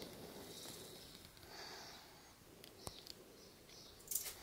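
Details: Western barn owl (Tyto alba) nesting in a house attic, heard from the street: breathy, drawn-out hissing snores, three soft bursts about a second apart, with a few sharp clicks and faint outdoor background.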